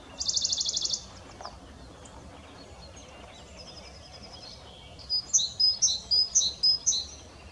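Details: Western Bonelli's warbler on 15 April 2022: a loud, dry, high trill of rapid even notes lasting about a second opens, followed by fainter high chips and a separate series of clear, sharp whistled notes from another bird.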